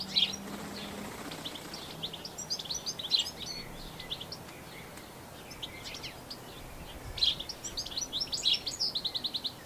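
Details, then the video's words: European goldfinch in New Zealand, Canon SX60HS recording; scattered bursts of high, twittering chirps separated by quieter gaps, closing with a short rapid trill, plus a brief low hum early on. "Goldfinch Song"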